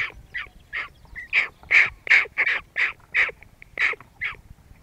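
Hooded crow giving a quick run of about a dozen harsh, rasping caws in five seconds, short and hoarse with an uneven beat; only a low hum behind.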